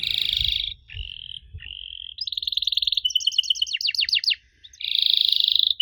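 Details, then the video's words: Canary song for prompting young canaries to answer: buzzy rattling rolls and flat whistles, a rapid series of pulsed notes, then descending slurs and a final buzzy roll, over soft low rumble. "Kenari Muda pasti nyaut kalo denger suara aneh kenari ini"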